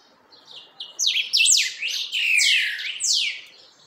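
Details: Steadying its song, a creamy-bellied thrush delivers a dense, rapid warble of bright, slurred, falling whistles. The notes overlap in a continuous tumbling phrase about two seconds long, then fade.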